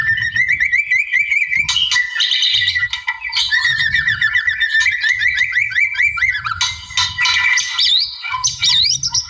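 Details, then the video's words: Wild white-rumped shama in full, rival-provoking song for training other birds: a long series of rising whistled trills repeated rapidly, broken by scratchy bursts and ending in looping whistles, with a soft low rumble behind. "MASTER KICAU GACOR MURAI ALAM NARIK LAWAN"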